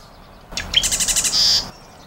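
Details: Marsh wren (Cistothorus palustris), a small North American songbird of the wren family, gives one song: a few sharp introductory notes, then a rapid, evenly pulsed rattling trill ending in a brief buzzy note.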